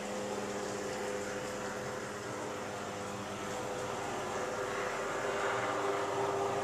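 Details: Constant broadband hiss with steady mechanical humming tones, like a fan or air conditioner, and no distinct animal call.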